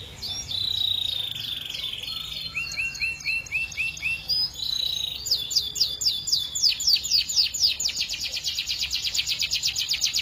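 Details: Singing canary, long and melodious with varied phrasing: a buzzy sustained phrase and short descending whistles give way to a fast, intensifying rolling trill of rapid high repeated notes.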